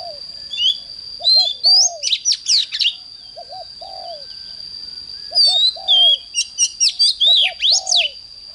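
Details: Oriental magpie-robin singing in the morning: two loud bursts of sharp, sweeping whistles and rapid twitters, mixed with soft low hooting notes, over a steady high whine throughout.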